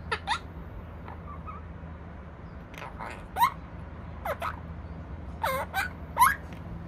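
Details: Opaline monk parakeet, a pet talking parrot, gives a scattered series of short, harsh, raspy squawks, some with sliding upward notes, separated by pauses over a low steady indoor hum.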